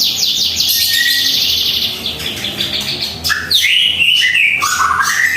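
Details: Morning song of a white-rumped shama recorded at home as a master track: fast high buzzy repeated notes at first, then clear rising and falling whistled phrases, with constant background chatter.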